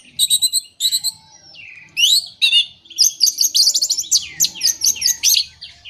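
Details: Orange-headed thrush song used to prompt birds that are moulting or not singing: paired clusters of high chirps, a descending slurred whistle, then a long fast stream of shrill, closely repeated notes and trills.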